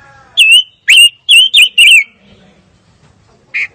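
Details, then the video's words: Fire-tailed myzornis delivering five loud, sharp whistled notes with a wavering, slurred shape, spaced irregularly over about one and a half seconds. After a pause comes one shorter, softer note. "Kicau Burung Pancawarna Paling Dicari - Tiếng chim ngũ sắc 2020"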